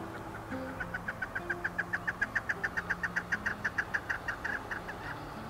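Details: Chukar partridge near Kamloops, where the species was introduced and lives on range land: a long run of dry, clucking chuck notes, about three or four a second, building and then easing off, with soft music underneath.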